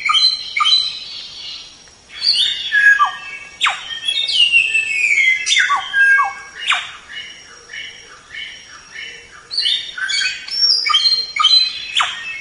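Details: A white-rumped shama in masteran recording delivers rich, varied song of pure whistled slides, downward sweeps and quick chattering notes, broken by short pauses.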